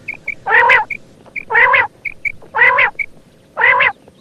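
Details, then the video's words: A female quail gives four rasping, harmonic bursts, roughly one per second. Short high pips fall between the bursts. "female bater sound"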